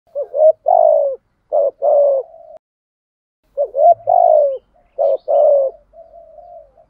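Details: Spotted dove cooing, used as a lure to stimulate other doves to call, with male and female birds said to be included: two phrases, each a stuttered opening note then a long, low, falling coo and a soft trailing note, about three seconds apart, in silence.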